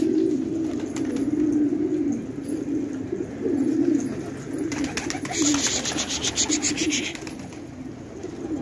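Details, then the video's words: Fighting pigeons in Khan Abad, Afghanistan, coo in deep, throaty overlapping phrases; about halfway through a loud burst of wing flapping and rustling breaks over the steady cooing. "کفتر های جنگی پرشی در خانه آباد"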